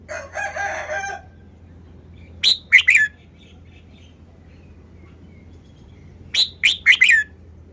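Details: Red-whiskered bulbul in a cage showing its song style: a soft chattering burst, then two matching phrases of four quick, bright warbled notes about four seconds apart.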